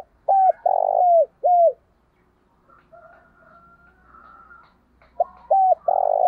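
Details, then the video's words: Spotted dove decoy bird calling to lure wild doves: three clear, hollow coos, then a pause with faint distant calls, then three more coos, each note rising slightly then falling. "Tiếng chim cu gáy mồi gáy gọi"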